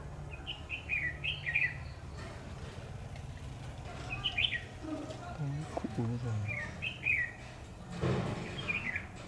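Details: Trapping decoy red-whiskered bulbul repeating short, lively warbled phrases every couple of seconds, while people talk quietly in between and a low rumble runs beneath.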